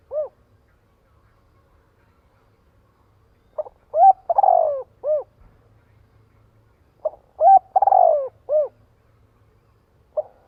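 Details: Spotted dove giving its rallying call to gather a flock: phrases of short hooked coo notes around a louder falling drawn-out coo, repeated about every three and a half seconds against a quiet background.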